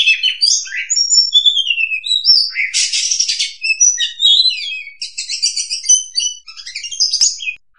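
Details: Oriental magpie-robin song played as a trapping lure, mixing clear slurred whistles with harsh buzzy bursts and rapid chattering phrases, all high-pitched and varied, with short gaps between phrases.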